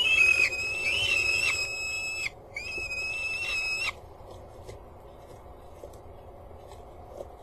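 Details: Peregrine falcon at Axel water tower, 4 May 2015, 18:42, during a prey transfer: two loud, drawn-out wailing calls, rich and slightly wavering, over about four seconds, then a faint background hum.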